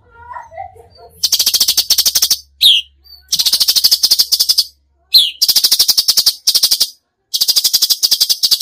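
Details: Cucak cungkok singing in tembakan style, delivering repeated long bursts of very fast, harsh rattling notes broken by brief pauses and a couple of sharp falling whistles.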